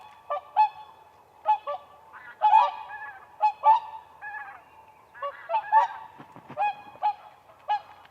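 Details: Whooper swans dancing on a frozen spring lake give clear, separate bugling honks, often doubled or tripled, repeated roughly every half second to second, with quieter calls between.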